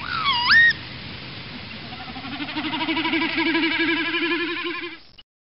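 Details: A Northern lapwing, which breeds at Asköviken nature reserve in Sweden, gives a single wheezy, slurred rising call, followed by a long, quavering low hum that wavers about four times a second.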